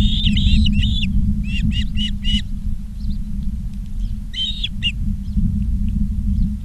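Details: Ospreys at Charlo, Montana, on a live nest cam, 19 August 2023 in the afternoon, call in uneven bursts of clipped whistled chirps, two to four notes at a time, against a low steady rumble.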